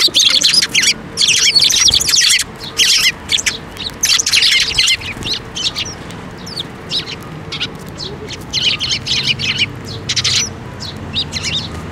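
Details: Sparrows, including the year's first fledgling, gathering to be fed at a Tenmangu shrine on 7 May 2024; dense bursts of shrill, high overlapping chirps from several birds, thinning after six seconds to scattered short tweets.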